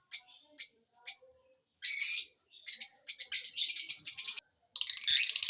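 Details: Lovebirds chirping: three evenly spaced sharp chirps, then harsh grating squawks and a long scratchy twittering chatter, ending in another raspy burst.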